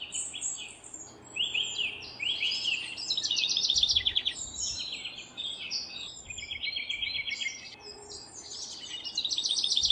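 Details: House wren singing while building its nest: bubbling, buzzy trilled phrases at high pitch tumble over one another almost continuously, with a steady low background hum throughout.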